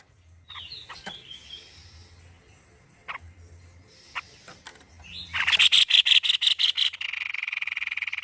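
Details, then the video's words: Energetic white-necked babbler song: faint scattered notes and a few soft clicks build into a loud series of harsh repeated pulses, ending in a fast continuous buzzing rattle. Low background hum. "GACOR PARAH BURUNG TEPUS LEHER PUTIH"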